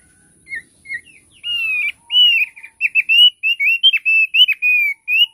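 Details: Thick-billed heleia starting with two soft, short chirps, then breaking into loud, clear whistled phrases delivered in a quick, uneven series of bright notes.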